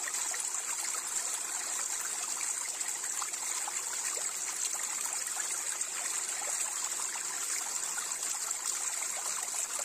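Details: Steady trickling stream of water with a constant hiss, no animal calls heard.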